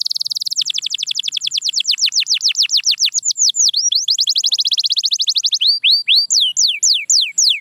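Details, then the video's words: Canary song used as training to bring back a quiet canary's singing: opens with a dense buzzy trill, then a long fast series of downward-sweeping whistled notes, about four per second, ending in slower looping slurs. "The Secret Sound That Brings Back Any Quiet Canary"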